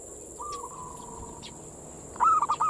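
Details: Zebra dove manggung song played to lure and excite local zebra doves: faint drawn-out cooing, then a short loud burst of rapid rolling coo notes at the end, over a constant high-pitched hiss.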